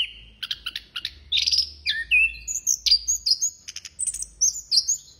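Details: Busy song of an Orange-headed thrush: rattling chirp clusters, then a series of downward-sliding whistles and sweet high warbled notes, strung together rapidly and continuously with barely a break.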